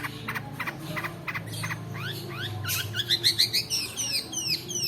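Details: Long-tailed shrike singing a long roll to stir lazy birds and serve as a training model: a few scattered chips, then rapid descending slurred whistles and squeaky repeated notes building in loudness.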